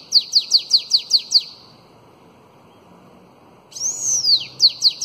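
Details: Elongated Belga song of a bananaquit, meant for training young birds: a fast string of high, repeated down-slurred chips, a pause of nearly two seconds, then a sweeping arched whistle leading into more chips.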